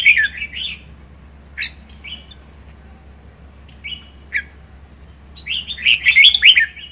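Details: Red-whiskered bulbul kept in a cage, in vigorous 'ché' song: a warbled opening phrase, then scattered single whistled notes and clicks, ending in a long, loud, rapid tumbling run of chattering whistles.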